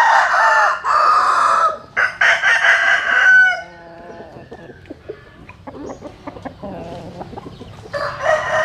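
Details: Roosters crowing at dawn as chickens sun themselves in the morning; two loud harmonic crows, the second sliding down at its close, then clucks and ticking sounds before another crow begins.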